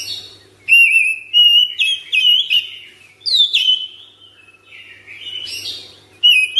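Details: White-rumped shama kept at home, singing a 'gacor ngropel' song with long breaths: loud, clear whistled phrases near the upper-middle range, some sliding and warbled, in bursts separated by short pauses, with faint low hum beneath.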